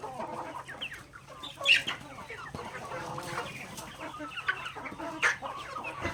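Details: Backyard chickens feeding on grains, clucking in a continuous chatter with two sharper squawks standing out, pecking clicks scattered through and a faint low hum beneath.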